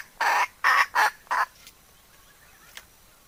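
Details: Hen used as a decoy, kataak cackle: four strong, rough clucks in quick succession, then a fainter note, over a soft background hiss.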